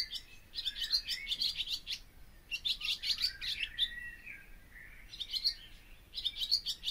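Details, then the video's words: Song of the barn swallow, Hirundo rustica: repeated phrases of rapid twittering and dry rattling clicks, high-pitched, separated by short pauses with softer whistled slurs between. "O canto da ANDORINHA-DAS-CHAMINÉS/BARN SWALLOW SONG (Hirundo rustica)"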